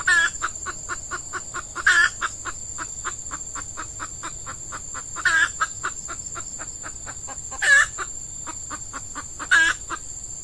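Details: Decoy female red junglefowl calling to attract wild males during the active season in peat scrubland. Fast, even clucking throughout, with five louder raspy squawks every two to three seconds, over a constant shrill insect hum.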